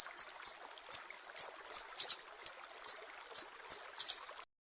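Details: Shrill 'besetan pedih' of a Sumatran mangrove whistler, used to train cage birds: about a dozen piercing high notes at steady half-second spacing, two delivered as quick pairs, ending in silence.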